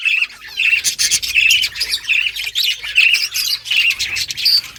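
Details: Caged Australian budgies in a breeding colony: continuous busy chatter of scratchy warbles and repeated short whistled notes, several birds calling at once.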